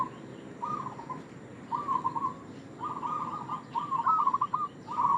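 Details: Rolling, purring coo phrases from a local zebra dove, repeated about once a second and growing stronger toward the end, sung as a lure call to attract doves.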